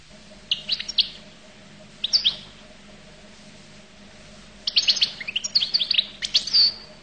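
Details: Collo goldfinch gives scattered short chirp groups, then a lively run of high twittering notes ending in a thin drawn whistle.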